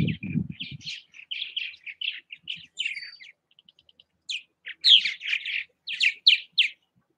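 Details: Purple martins at their bird houses in Southwest Missouri utter a long series of throaty chirps and gurgles, briefly quieter midway then louder and more emphatic, with a rumbling low noise at the very start.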